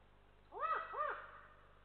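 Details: Adult Eurasian eagle-owl at its nest in Estonia, giving warning calls as a lynx walks by, caught on a nest camera: two loud, arched, harmonic notes in quick succession, each rising then falling, over a faint steady hum.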